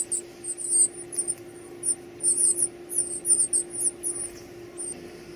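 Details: Chicks at feeding time make a busy run of high-pitched trilling squeaks, loudest in the middle, then fading to a few single peeps, over a low steady hum.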